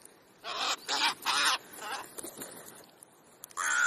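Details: Crows gathering on an ordinary afternoon in Clara Zetkin Park, Leipzig, Germany: three loud harsh caws in quick succession, then softer scattered calls and a final loud caw cut off at the end.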